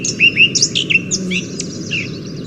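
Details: Himalayan Thrush, a recently described species named after Salim Ali that looks like the Alpine Thrush but sounds distinct, gives a quick run of high, varied notes: short sliding whistles and thin scratchy squeaks over a low steady hum.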